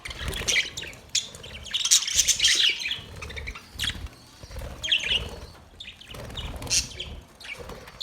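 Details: Budgerigars in a colony setup giving scattered high chirps and squeaky squawks in uneven clusters, louder bursts early on, with soft fluttering and background hum between calls.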